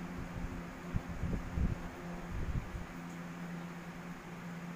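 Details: A steady mechanical hum fills a small indoor room, with soft rustling and low thumps but no animal voice.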